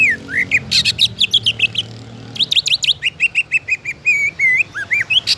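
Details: Greater green leafbird song from Indonesia, played to spur other leafbirds into singing: rapid varied whistles, upslurred and downslurred notes and short steady tones in lively phrases, over a faint low droning hum early on.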